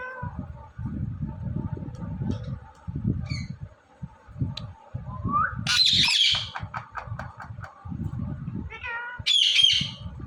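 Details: Indian ringneck parrot talking while dancing: a gliding whistle leads into a harsh squawk burst, then a string of short clipped syllables, and a final loud squawk, over low background rumble.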